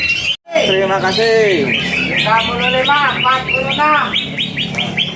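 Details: Greater green leafbird, a competition bird that has won first place for two seasons, delivering a loud, rich song of rapid, varied whistled notes with slurred descending phrases and dense, continuous chattering trills.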